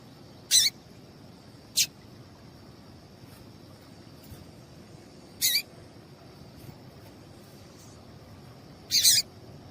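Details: Female double-collared seedeater calling, a call used to stimulate and warm up males into singing. Four short, sharp, very high chips at irregular intervals of one to four seconds, over a steady faint high hum and low background noise.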